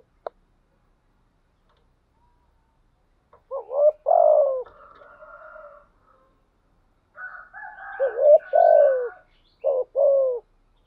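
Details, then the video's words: Spotted dove kept as a decoy bird with a thổ-style voice, cooing steadily: low, rounded coo phrases in two loud bursts, one from about 3.5 to 6 seconds and another from 7 to 10.5 seconds, with silence around them. "chim cu moi thuc gù bài bản, chim cu mồi thúc gù liên tục"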